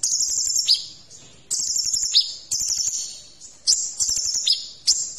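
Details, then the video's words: A sunbird singing a full, varied song used as a tutor for other songbirds gives high, thin, buzzy trills in bursts of about a second, each ending in a sharp upward flick, repeated in quick succession. "Masteran Kolibri Ninja Isian Mewah"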